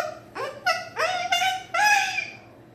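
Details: Cockatoo left alone after its owner leaves the room gives about five loud, nasal squawks in quick succession, each sweeping upward before holding steady; the room is otherwise quiet.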